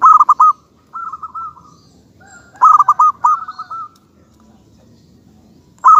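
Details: Zebra dove, local type, giving loud clusters of fast staccato coos alternating with softer rolling runs, another dove quietly answering.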